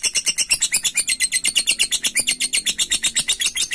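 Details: Lovebird ngekek chatter meant to provoke and call a rival: a steady series of sharp, high, rasping notes, roughly three per second, evenly pulsed throughout with a faint low background hum.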